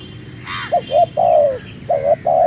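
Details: Caged spotted dove of Malaysian stock, used as a ground decoy, crows just after leaving its box: two short soft coos, a long sliding coo, then two more notes, over faint rustle and distant birds.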